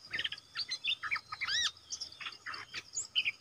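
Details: Decoy red-whiskered bulbul calling to draw in a territorial wild bird. Lively bursts of bright chirps and arched whistled notes come in quick succession, with a faint insect drone behind.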